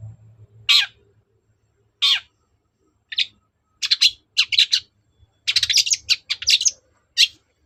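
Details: Long-tailed shrike (cendet) persistent song meant to make a bird answer: scattered harsh rasping notes, then quick clusters of chattering, with a faint low hum in the background.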